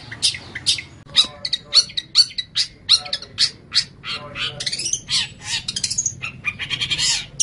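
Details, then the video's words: Long-tailed shrike singing on a training recording meant for tutoring other songbirds: a rapid run of harsh, scratchy, high notes in short bursts, roughly two per second, with brief squeaky accents between them. "Masteran Terbaik Pentet / Cendet"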